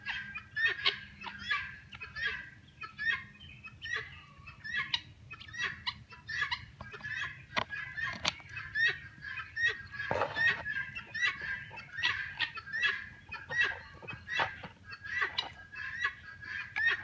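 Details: Helmeted guineafowl raised for tick control produce a long run of harsh, rasping calls repeated a little more than once per second, with several birds overlapping against steady low background noise.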